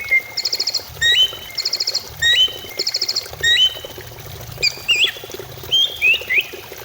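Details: Greater green leafbird song used as a singing lure: rapid buzzy trills alternating with clear rising whistles, repeated about once a second, then varied twisting whistled phrases over a low hum.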